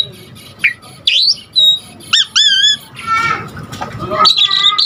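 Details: Asian pied starling in energetic full song, used as a lure and tutor for other starlings: scattered harsh squawks, rising whistled slurs and rich harmonic chattering notes, separated by short pauses, ending in a dense warbled phrase.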